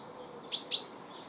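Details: Eurasian tree sparrow in a bee-eater colony: two short, bright chirps in quick succession, about a fifth of a second apart, over a steady background hiss.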